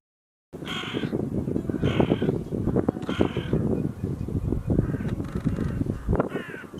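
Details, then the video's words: An overwintering Hooded crow gives harsh, hoarse caws, three in a row about a second apart, then another later, over a steady low rumble. "давайте послухаємо як кричить ворона"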